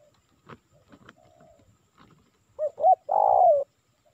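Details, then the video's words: Spotted dove lure call, Indonesia, meant to attract wild birds. A soft drawn coo with scattered clicks, then one strong phrase of two quick hooked notes and a long, slightly descending coo. "Suara Pikat Tekukur Memanggil Burung Liar"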